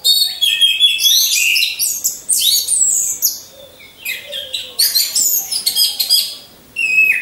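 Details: Several caged orange-headed thrushes hung side by side, used as a lure to train competition birds: loud, rapid, varied warbling with sharp chirps and slurred whistles, in bursts separated by brief quieter gaps.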